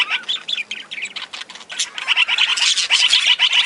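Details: Budgerigars in an aviary shared with other parakeets and lovebirds: dense, high scratchy chirps and squawks overlapping without pause, growing louder and busier toward the end.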